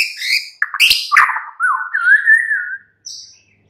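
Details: Afternoon song of a white-rumped shama used to provoke a caged bird into singing: brief rasping notes, then a smooth, wavering whistled phrase and a short high note after a pause.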